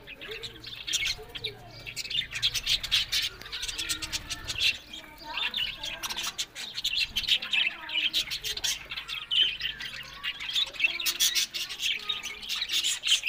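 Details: Several happy, talking pet budgerigars chatter together: a dense, continuous stream of scratchy warbles and quick high chirps with rapid clicking ticks throughout.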